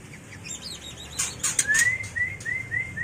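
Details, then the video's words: White-rumped shama mating call for training and luring birds: soft high chirps, then loud clicks, followed by clear rising whistled notes repeated about every quarter second. "Suara murai batu kawin paling ampuh untuk terapi dan pikat burung agar cepat gacor"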